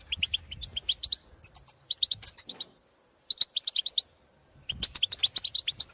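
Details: European goldfinches calling in the field to others of their species, giving quick series of bright, tinkling chirps and twitters, broken by a silent gap of about a second before the rapid chatter resumes.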